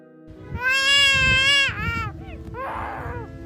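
Black-collared Starling giving a long, harsh, nasal wail, then a few shorter clipped notes and a raspy burst, over background music.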